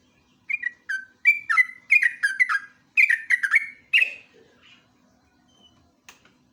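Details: Sooty-headed bulbul, called jogjog or trucuk, in ngeropel style for luring and master training: a string of bubbling, liquid whistled notes lasting about three seconds, then fading into faint scattered chirps.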